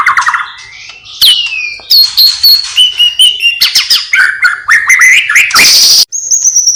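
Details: White-rumped shama singing loudly with mimicked calls of sparrow, lovebird and kapas tembak. Varied clear whistles, sliding notes and rapid chattering phrases follow one another in quick succession, ending in a sharp buzzy burst and a sustained high whistle.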